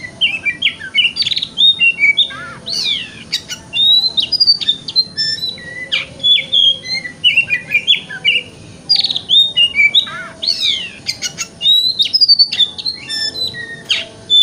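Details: Oriental magpie-robin, locally kacer, delivering a long 'wikplong' lure song used in the morning to stimulate tail opening; sustained stream of sweet whistles, steep slurs and quick chattering trills, loud and near, against faint hum.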